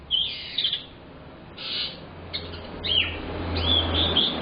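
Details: Young canary, used as a lure bird, singing in bursts: high chirps and short trills spaced irregularly, with a steady low hum underneath.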